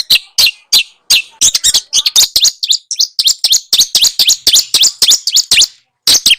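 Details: Small birds singing, used as tutor audio to spur a white-rumped shama into song: a fast run of sharp, high, whistled chirps and tweets, many notes per second, with a few brief pauses near the end.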